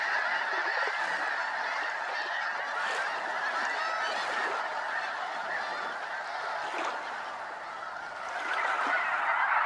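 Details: Over 200 Snow Geese circling Limestone Bay at Wheeler National Wildlife Refuge, North Alabama; a massed chorus of honks, slightly quieter, with some individual calls standing out and a brief dip before swelling again.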